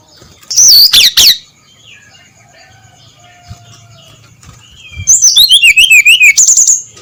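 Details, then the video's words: Brown-chested jungle flycatcher singing before sunrise: a short, loud burst of high slurred whistles, a quiet gap with faint low whistles, then a rapid, buzzy, zigzagging trill that descends in pitch. "SUARA SRDC NGEPLONG PAGI BUTA"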